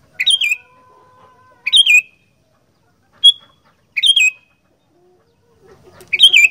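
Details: Sooty-headed bulbul giving kutilang gacor fighter song: a string of short rolling phrases, each a rapid warble of sliding notes, broken by one brief clipped whistle, pauses of about a second between.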